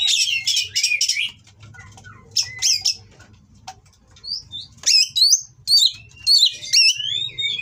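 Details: Mating Oriental magpie-robin delivering its harsh-material song to stir rival birds: dense buzzy scratchy bursts open, then a quieter pause with soft notes, followed by clear rising and falling whistles and chattering phrases; low background hum.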